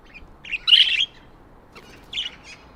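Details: First chirps of baby budgerigars raised at home: a loud, scratchy burst of high chirping followed after a pause by a softer, shorter chirping burst, with quiet in between.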